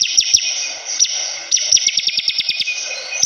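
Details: Bar-winged prinia, locally ciblek kristal, in lively song: two sharp high chips, a pause, then a fast rattling run of about ten clipped notes, over steady hissing.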